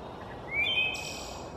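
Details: Wood thrush (Hylocichla mustelina), forest-dwelling, song: one brief clear flute-like whistled phrase sliding upward, then a thin high buzz, over steady background hiss.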